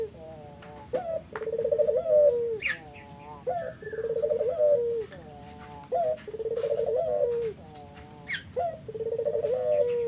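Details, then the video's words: Spotted dove calling as a lure for other doves to respond, four similar phrases about every two seconds: a sharp rising note, a buzzy rolling coo and a drooping final tone, over a light steady hiss. "Burung puter mana yang ga ikut nyaut kalo dengar GACORAN puter ini"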